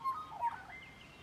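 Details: Magpie close by, producing a brief run of clear, fluty warbled notes that slide up and down.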